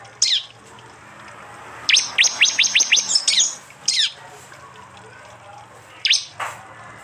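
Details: Prinia song in 'tembakan' style, recorded by Android phone in East Java among combined prenjak and jali sounds: scattered sharp downslurred chirps around a burst of about eight rapid, steeply falling high notes, with faint background hiss.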